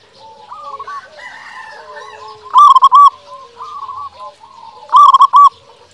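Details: Zebra dove of a local type, singing vigorously as a lure for silent doves: soft warbled coos build into two loud, rolling trilled coo bursts about two and a half seconds apart.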